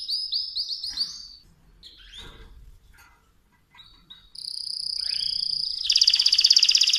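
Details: Mosaic canary with scattered chirps and soft fragments, then a steady high whistle leading into a loud, fast, buzzy trill.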